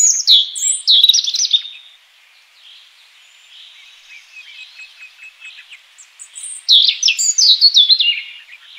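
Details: European robin in the wild, singing two bright, high-pitched phrases of quick varied trills and slurred notes at the start and near the end, separated by a quiet stretch with only faint soft notes.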